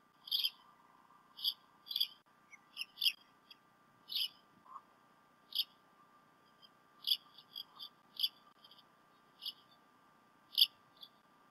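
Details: Bald eagles at the Decorah North nest on 28 February 2016, both adults present in late morning to early afternoon; the male brought a fish to the female. A nest camera picks up repeated short, high, squeaky chirps in scattered bursts over a steady background hum.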